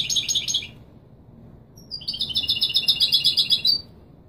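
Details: Goldfinch song of the authentic Marrakchi Widani style, meant for tutoring chicks: a short high twittering burst, a pause of about a second, then a longer run of quick, tinkling, repeated notes.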